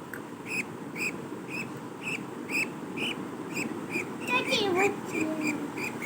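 Budgerigars give a steady run of short, bright chirps, broken by a quick warbling twitter.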